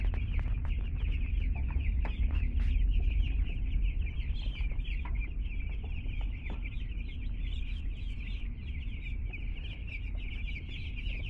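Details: Two-day-old chickens just arrived at a home, a crowd of chicks peeping nonstop: dense, high, overlapping cheeps forming a continuous chorus, over a loud low rumble and handling knocks.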